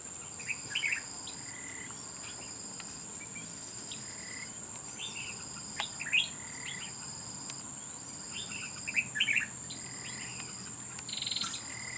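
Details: Bulbul, red-whiskered, fighting at a trap. Scattered short chirpy phrases come in clusters, louder bursts near the middle and near the end. Insects keep up a continuous high whine alongside an intermittent tone.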